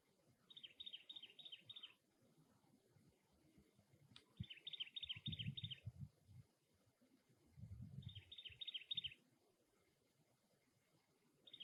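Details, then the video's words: Cactus wren at the nest repeating harsh chugging chatter in three bursts, each of about five rasping notes, separated by pauses of a few seconds, over low rumbling background noise. "Cactus Wren Bird - Call and Nest"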